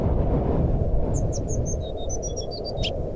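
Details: Jungle flycatcher whistling in nyuling style as a lure for a bird that has stopped singing: a brisk series of clear high notes dropping and rising, set against heavy low-pitched noise.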